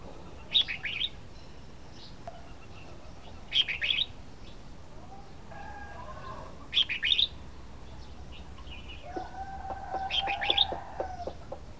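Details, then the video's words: Red-whiskered bulbul repeats a short, bright, chattering phrase about every three seconds, four phrases in all, while a lower, steady tonal sound and rapid ticking pulses rise beneath the last phrase. "Chào mào hót"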